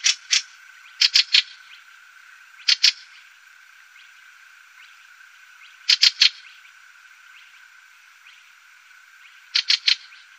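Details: Fieldfare recorded in Wittlich, Germany, in 2018: short bursts of two or three harsh chack notes spaced a few seconds apart, with a faint steady tone beneath.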